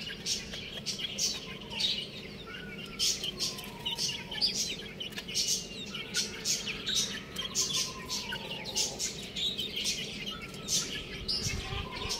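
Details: Young chicken chicks chirping: many short, high, downslurred peeps overlapping in quick succession, with a few longer, lower whistled slides and a steady faint background hum.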